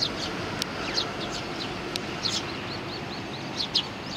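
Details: Sparrows with a youngster on 3 July 2019 giving quick high tweets, some in fast runs of little rising notes, with two brief clicks and a constant background hiss.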